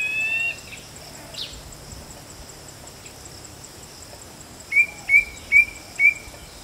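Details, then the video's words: White-bellied drongo calling: an opening whistled note, then a run of four short, sharp rising notes about half a second apart, over a steady insect hum. "White Bellied Drongo Call"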